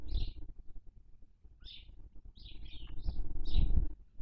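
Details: Barn owl nest in Cabañeros National Park as the female feeds on a dead chick's body; loud, high, hoarse chirps come in an uneven burst, several close together near the end, with low rumble beneath.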